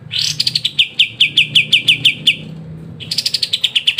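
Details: Master song of a white-shouldered triller (kapas tembak) for training songbirds: a rising opening note, then a fast, crisp series of high chipping notes, a pause, and another rapid burst that starts higher and slides down.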